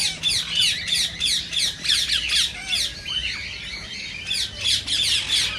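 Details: Indian rose-ringed parakeet, a sound meant to stimulate other parakeets to sing and mate; rapid harsh screeches about three per second, a brief lull, then another burst of shrill notes.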